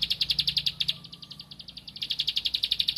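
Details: A Bar-winged prinia, seeking a rival, sings a fast run of sharp high ticking notes, roughly ten a second, that dips briefly softer midway, then returns loud and steady.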